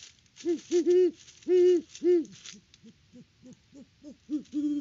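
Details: Great horned owl pair at the nest in Kansas, October, with the male working in the nest. Loud prolonged hoots come in clusters, then a string of shorter quiet hoots builds back to a long final hoot.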